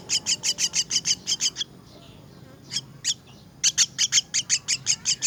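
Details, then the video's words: Myna chicks calling while being fed: fast trains of shrill, scratchy high chirps, a brief lull near the middle, then another rapid run of repeated notes. "Feeding myna's chicks"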